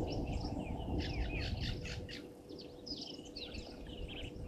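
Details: European bee-eaters at Gowrie dam waterhole, Djuma Game Reserve, Sabi Sand Wildtuin, South Africa, 15 January 2023 at 17:00, on a live camera: many overlapping short rolling chirps in quick succession, over a steady low hum and rustling background.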